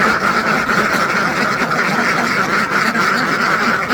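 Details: Hundreds of farmed ducks in one large flock, quacking all at once in a dense, unbroken wall of overlapping nasal calls with no pause between them.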